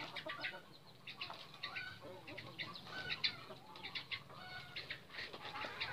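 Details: Captive junglefowl on Lombok, a male and female being paired for breeding, give short, sharp clucks and clicks at an irregular pace, with rustling and brief wing flutters between them.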